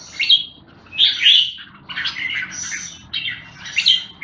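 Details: Short, separate bursts of red-whiskered bulbul song, clear whistled and slurred notes roughly every second over a soft rumbling background.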